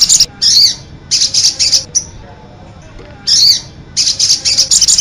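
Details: Sogon bird singing in the cit anten style, loud high shrill bursts of rapid chattering notes, about a second each, separated by short quiet pauses, little background noise.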